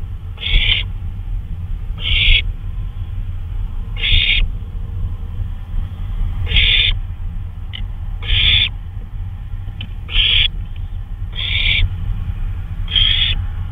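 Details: Night owl on a flyabout, May 26, 2013 at 2:39 AM: a long series of eight short, breathy screeches at uneven intervals of one and a half to two seconds, with low background rumble throughout.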